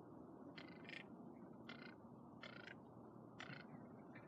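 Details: A pet cinnamon teal, first time heard calling, gives short, nasal grunting calls like a deer grunt, about six in four seconds, over a steady low background rumble.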